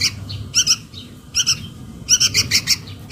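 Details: Sooty-headed bulbul chick calling its mother, recorded as a lure sound: short harsh squawky notes in three bursts, one then a pair, then a rapid run of five, over a faint low hum.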